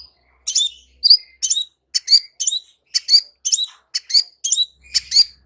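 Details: Crimson sunbird singing a steady run of high, sharp chip notes, roughly one per second or faster, evenly spaced and clear against a quiet background.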